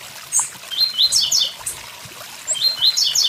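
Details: Blue-black grassquit song, short high buzzy upswept notes in quick bursts over the steady rush of a nearby waterfall.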